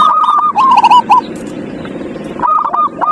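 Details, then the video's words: Zebra dove song used as a lure for a silent dove, a rippling series of quick soft coos in a short phrase, a pause, then the bubbling phrase begins again. "Pancingan perkutut paling ampuh | perkutut males bunyi"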